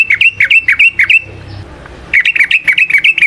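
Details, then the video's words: Sooty-headed bulbul known locally as trucukan, song played to coax other trucukan into singing: rapid, evenly spaced whistled phrases with downward slurs, a gap of about a second, then the run resumes. "Trucukan GACOR ngalas ROPEL PANJANG suara alam AMPUH buat pancingan"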